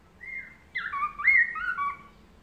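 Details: Melodious laughingthrush singing, a master recording meant to draw replies from other birds: a flowing phrase of varied clear whistles, swooping up and down and overlapping, rising in strength toward the middle.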